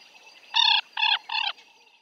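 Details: African jacana calling: three harsh, nasal, rasping notes in quick succession, each richly layered and slightly shorter than the last, over a steady faint high-pitched hiss.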